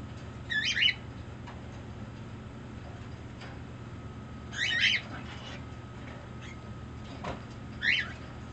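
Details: Green-cheeked conure kept as a pet, cuddling up while making demands: three grating squawks spaced several seconds apart, separated by a few faint clicks, with low background hum.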